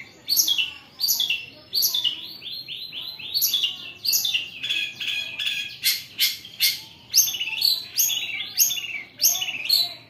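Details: Long-tailed shrike song in kaca kaca style, mixed with coarse bessetan rasps. Continuous high, piercing, downward-sweeping notes and scratchy bursts repeat rapidly for ten seconds without pause.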